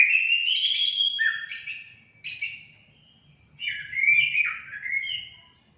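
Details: Song of an orange-headed thrush, used to trigger pet birds into singing: rich, scratchy warbled phrases with sliding whistles, separated by brief pauses, fairly loud and clean.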